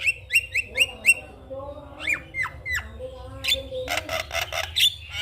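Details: Javan myna singing in the morning to rouse other mynas: five quick whistled notes, then sharp falling slurs, followed by a burst of harsh grating rattles.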